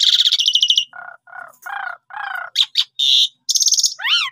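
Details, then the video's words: Asian pied starling song used as a lure for other starlings: a buzzy rattling opening, four low croaking notes spaced evenly, then loud high buzzes and a final pair of arched whistles. "Gak Sampai 3 Menit Jalak Suren Paud, Pundung Langsung Respon Gacor Dengan Pancingan Jalak Suren Ini"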